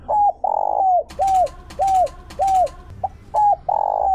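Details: Caged decoy spotted dove singing in the 'Chiêu Ba Hậu' style, used to provoke and lure wild doves: short, arched, mid-pitched coos alternate with longer, fuller notes in an uneven run, with sharp clattering knocks in the middle.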